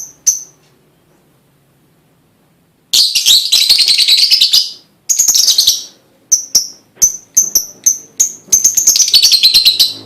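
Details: Lovebird song to encourage other lovebirds: after a quiet start, a long stretch of dense raspy chatter breaks into quick sharp chirps, then rises again into a fast buzzy run.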